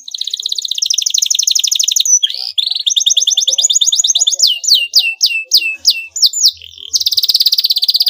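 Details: Rival-provoking canary song: a long, dense buzzy trill lasting about two seconds, scattered short notes, another rolling trill, then a string of crisp downward-slurred whistles, closing with a loud buzzy trill.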